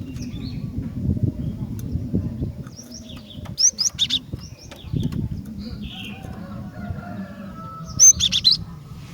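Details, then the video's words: Female cinereous tit calling to draw males. Scattered high chips and short buzzy notes, with a loud chirp cluster at about four seconds and another at eight, over low rumbling background noise. "Kicauan Glatik Betina Gacor Dor"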